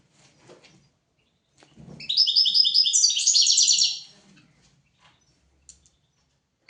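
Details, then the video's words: European goldfinch song used as a teaching recording for goldfinches and canaries: a single loud burst of about two seconds of rapid, tinkling, repeated high notes, with faint low rustles before and after. "تغريد طائر الحسون حفاضة لتعليم طيور الحسون والكناري"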